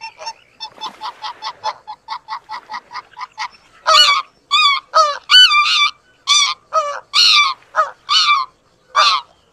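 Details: Greater white-fronted goose calling while mating: about three seconds of quick, evenly spaced short nasal notes, then a run of louder, ringing, harmonic yelping honks, some rising and dipping in pitch, about ten in six seconds.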